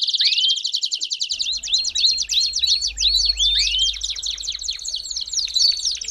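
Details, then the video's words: Belgian canary song meant for warming up a canary: dense high rolled trills with quick down-swept notes, running continuously and fast; faint low rumble underneath. "CANTO PARA ESQUENTAR CANÁRIO BELGA RÁPIDO!!!"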